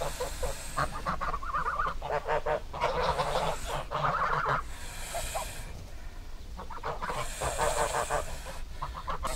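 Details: Geese calling in a noisy chorus, repeated nasal honks in bursts with brief pauses, several birds overlapping throughout, with a steady low rumbling background.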